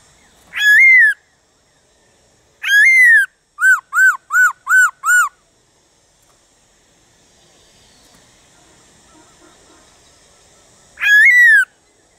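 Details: Whistled song of a black-throated laughingthrush, played to get other birds singing: a falling whistle, another, then a quick run of five short arched notes, a pause with faint hiss, and one more falling whistle.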